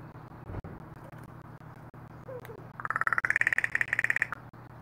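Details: Female Northwestern crow makes a knocking sound as an apparent apology after another crow nips her for trying to snag dog food. A rapid, dry rattle of evenly spaced knocks lasts over a second, over a low steady hum.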